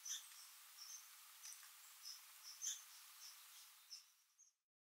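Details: Tufted Titmouse pair at winter feeders, Essex County, New York, 4 February 2023; a short run of quiet, very high, thin notes roughly every half second, one slightly louder chip near the middle, ending in silence.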